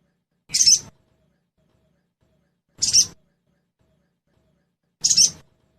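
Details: Crested jay, locally sogon, trotol style, meant to draw birds into singing quickly: three evenly spaced rough, buzzy bursts a little over two seconds apart.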